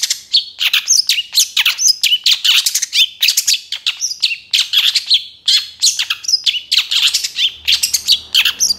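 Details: Long-tailed shrike, a young bird in moult, singing a busy, varied song packed with mimicked phrases, used as a lure: dense run of sharp chirps, quick slurred whistles and harsh notes with almost no pauses.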